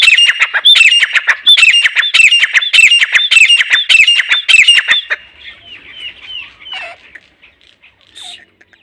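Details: Grey francolin, a local desi bird, giving a rapid run of loud, ringing calls, nearly two per second, for about five seconds, then trailing off into softer, scattered notes and quiet.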